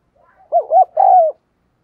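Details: Caged decoy spotted dove giving an insistent provoking coo meant to stir rival doves: a short hoot, a rounded arched note, then a long level-to-falling coo, all low and mellow, with no other sounds.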